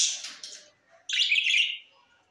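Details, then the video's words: Parrot recorded in Larkana, Sindh on September 13, 2023, giving a fading, hissy note, a short silence, then one loud, rough, buzzing squawk lasting nearly a second. "Great Preform parrot 🦜 is Bueatiful Sounds great"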